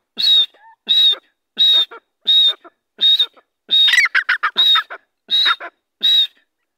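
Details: Grey francolin being released, giving a loud, harsh, ringing call repeated steadily about every three-quarters of a second, nine bursts in a row, with a busier double note midway and no other clear sounds.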